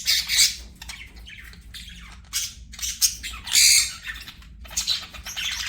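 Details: Pet budgerigar chirping in short scratchy bursts, harsh buzzy squawks and chatter spaced irregularly with brief quiet gaps between.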